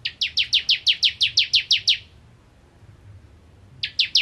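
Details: Bar-winged prinia singing a rapid series of eleven bright, downward-slurred chips at a steady pace, then a pause of nearly two seconds before three more notes begin the next burst.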